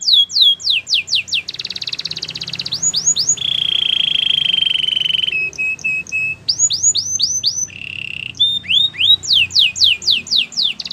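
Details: Canary song alternating quick tours of steep downslurred whistles with long buzzy and steady held notes, with mild room noise behind.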